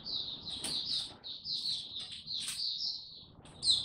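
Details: Caged Oriental white-eye in buka tiong aw song, recorded 25 January 2022 after sleeping late: high thin twittering phrases with sharp chips, softer and set against a noticeable low background rumble.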